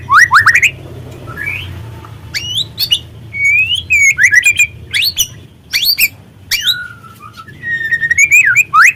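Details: Lure song of a young spotted white-rumped shama, meant to stir birds into singing: a fast, varied stream of sharp upslurred chips, rising whistles and twisting warbles separated by short pauses, over a faint low hum.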